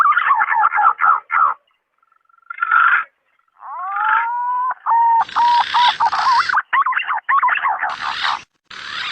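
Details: Green pigeon male calling a female on a lure recording: choppy bursts of whistled notes, a long upward-sliding whistle, then fast warbling notes broken by loud harsh crackles.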